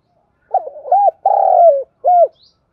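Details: Spotted dove kept as a lure, calling to provoke wild birds: a single mellow cooing phrase of a few short stuttering notes, then a long sustained coo that sags in pitch, ending with one short rounded coo; no other sounds.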